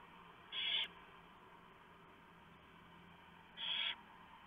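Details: Barn owls at a nest at 3:59 AM on 3 November 2015, as the male delivers a huge mouse that the female shreds for the owlets. Two harsh, broad hissing bursts about three seconds apart over a steady low hum.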